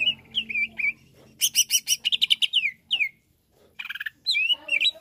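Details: Greater green leafbird singing: loud whistled phrases sliding down around high pitch, bursts of rapid buzzy rattling notes, and quick chirps, with pauses between phrases.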